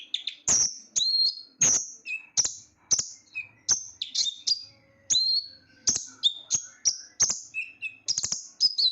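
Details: Kolibri ninja or konin sunbird, a small bird with a shrill yet loud voice, collected as a hobby songbird; bright, high chirps and brief twittering bursts repeat in quick spaced phrases, with occasional lower squeaky notes.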